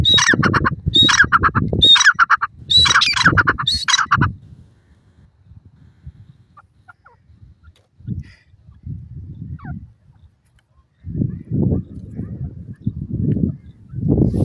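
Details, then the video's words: Black francolin (partridge, titer) call: loud, harsh, grating squawks in quick bursts for about four seconds, followed by low rumbling noise and a few thuds. "francolin bird ki voice,partridge awaz,titer awaz"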